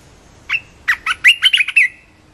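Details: Close, loud Red-whiskered bulbul song: an opening whistled note, then a rapid string of sharp, cheery syllables that rise and fall, ending in a drawn-out whistle, about one and a half seconds long over faint background hum.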